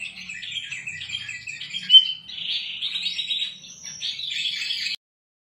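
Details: Kutilang emas song used as a master recording for cage birds: a continuous, high, scratchy warble of rapid twittering notes that runs unbroken for about five seconds, then cuts off.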